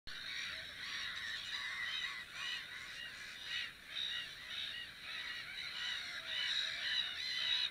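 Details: Black-headed gulls at their nests, recorded 2 May 2015: a dense chorus of harsh, overlapping squawks and short arched kee-ar notes from many birds, rising and falling in loudness without pause.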